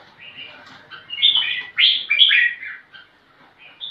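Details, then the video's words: Crested bulbul singing vigorously while seeking a rival to fight: short bubbly, warbled phrases of rising and falling notes, a loud burst near the middle, then softer chirps and a final bright note, with no other clear sounds. "Kutilang Jambul Gacor Cari Lawan Tarung"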